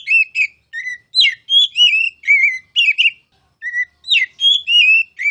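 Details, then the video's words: Oriental magpie-robin (kacer) tutor song in the loud ngeplong style: a rapid run of clear whistled notes, some slurred and warbling, some sharply rising, in short bursts separated by a brief pause midway. "KICAU MASTERAN KACER CALON JUARA!!!"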